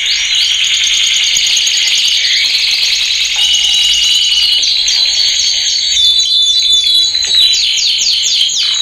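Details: Loud male canary song for training young birds, with a steady high rolling trill overlaid by fast repeated downslurred whistles. These grow more prominent in the second half.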